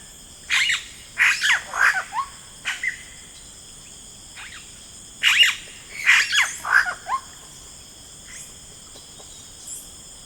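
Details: Yellow-rumped cacique, rainforest: two bouts of clipped, squawky, falling calls in quick groups of three to five, separated by a pause, with faint distant calls and steady shrill insects.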